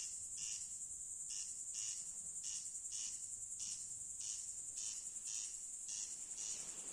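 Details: Corn crake calling at night: dry, rasping bursts repeated steadily about once a second. A constant, shrill insect chorus runs underneath throughout.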